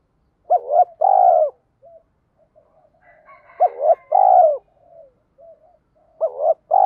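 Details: Spotted dove 'thúc' call, used in Vietnam to excite wild doves. Repeated phrases of a brief double hoot and a drawn-out, wavering low coo come about every three seconds, with faint murmurs between.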